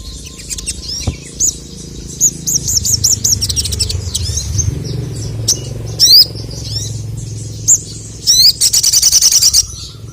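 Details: Male sogon, the crested jay, whose voice is said to provoke rivals: rapid high chirping phrases and sharp upswept notes, ending in a dense buzzing rattle, over a low rumbling background.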